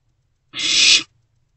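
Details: One loud, noisy hiss of about half a second from a barn owl owlet at night in a nest box, with prey just delivered.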